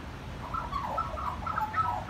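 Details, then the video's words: Magpie singing soft, fluty, warbling notes that slide up and down in a mid-pitched run, over a low background rumble. "Magpie singing"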